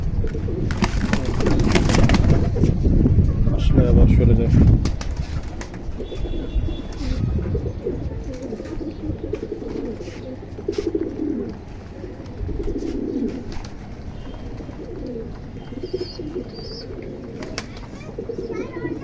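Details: Domestic pigeons returning to a rooftop in the morning after release to be fed give low, soft cooing notes amid wingbeats, shuffling and a person talking nearby.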